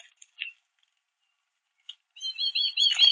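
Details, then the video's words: At a backyard bird feeder, American goldfinches feed and call; a few isolated soft chirps give way to a sustained high, wavering twitter over the last second. "Goldfinches Chirping at The Bird Feeder"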